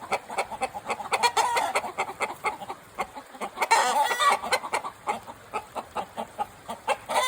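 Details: Chickens at the Takumi no Yakata forest aquarium, Japan: a dense run of sharp, pulsed clucks about four or five per second, with a louder rasping squawk near four seconds.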